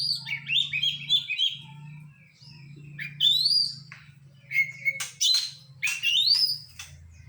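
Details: Oriental magpie-robin, a training recording of a song stuffed with imitated phrases: varied bright whistles and fast rising and falling trills, sharp high chips between bursts, over a steady low electrical hum.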